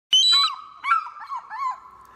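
An eagle gives three harsh, high screams in about two seconds. The first is sharp and piercing, and the later two are shorter, falling cries.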